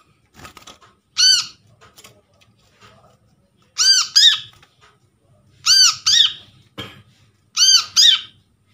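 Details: Wild-caught brown-throated sunbird (kolibri kelapa) recording used as a lure to get silent birds calling: loud, sharp, arched squeaky notes, mostly in quick pairs, repeated every two seconds or so, with soft clicks and rustles between.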